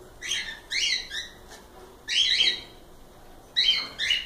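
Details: Cockatiels give bright, buzzy harmonic chirps in short clusters of two or three, with sharp whistled highlights and short silent gaps.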